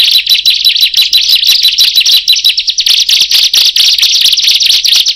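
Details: Bar-winged prinias joining in after one bird calls: quick, strident high chirping notes repeated in a rapid, busy chorus, several birds overlapping in a near-continuous trill, with no background noise.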